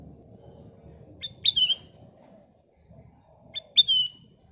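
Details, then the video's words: Lure song of the sooty-headed bulbul (kutilang emas), meant to set other birds singing: two phrases roughly two and a half seconds apart, each a quick pip and then a clear, falling whistle, with a soft low rumble behind. "Kicau Burung Kutilang Emas Gacor full isian, Pancingan Kutilang Emas"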